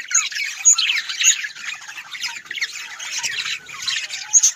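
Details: Several budgerigars kept as pets chatter nonstop in a dense, scratchy warble, with sharp high squeaks every half second or so and a steady bright hiss over it all.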